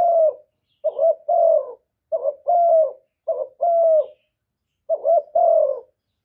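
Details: Spotted dove decoy giving its luring coo to excite other doves, recorded without background noise. Five low couplets appear, each a brief stuttered note and then a sustained, sliding coo, with short pauses between them.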